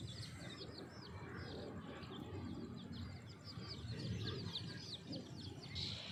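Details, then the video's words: A brown and black hen outdoors with her brood of chicks, feeding them; the chicks peep nonstop with high, short, downslurred chirps overlapping several times a second, over low rumbling outdoor noise. "chicks chirping sound"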